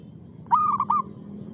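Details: A single rhythmic song phrase of a zebra dove (perkutut): a quick run of three or four soft, rolling coo notes lasting about half a second, over quiet background.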